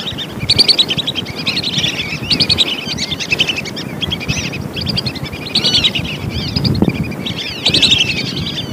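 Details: Lesser whistling duck calls used as a lure to attract wild birds: repeated high whistled notes in quick bursts, rising and falling, with a steady low rumble of background noise throughout.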